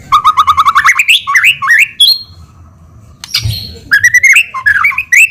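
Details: White-rumped shama song used as a lure: a fast run of repeated mid-pitched notes climbing into looping whistles, a short quiet gap, then more rolling, upslurred whistled phrases.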